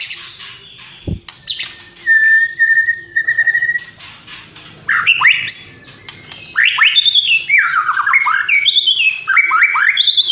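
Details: White-rumped shama singing a varied song: a sharp click, then a steady whistled note, later a run of loud, looping whistles that rise and fall in quick succession.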